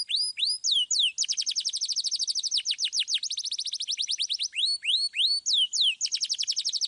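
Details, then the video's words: Canary in full, energetic song of the "suit suit" and rolling (ngeroll) style, in a clear voice, played to lure young canaries: high whistled upslurs followed by long, rapid rolling trills of repeated downward-sweeping notes, with no other sounds. "KENARI GACOR Suit Suit Ngeroll Suara Jernih"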